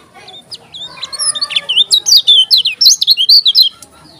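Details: A Lombok yellow-crowned bulbul pours out a dense, excited song: rapid, loud, high chirping and twisting whistles, around twenty notes packed into three seconds.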